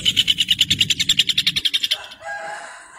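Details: Rufous hornero song: a rapid run of strident repeated notes that slows and stops after about two seconds, followed by a softer, lower warbled sound and quiet.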